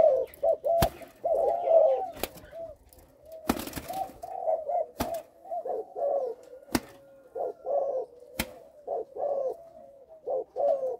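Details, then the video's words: Young spotted dove, Malaysian type, caged, with a stammering coo on the first three notes: low coo groups broken by sharp clicks and a loud thump, then resuming in short bursts. "gù cà lăm 3 tiếng đầu"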